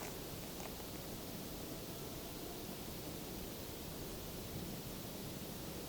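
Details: Steady broadband hiss like wind or rushing water, with no animal sound.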